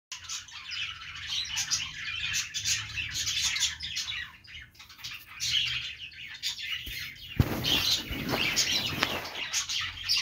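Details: Budgerigars, an Australian parrot, chattering in steady, dense, overlapping high chirps and warbles, with a sharp broadband clatter and a louder burst of activity near the seventh second, and a faint low hum underneath.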